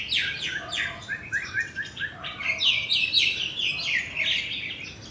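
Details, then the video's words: A crested myna, one of only two in the area, strings together a rapid, varied run of high chirps, slurred whistles and sweeping notes without pause, mimicking other birds, likely mostly juvenile yellow-vented bulbuls. "A Crested Myna Mimicking Other Birds"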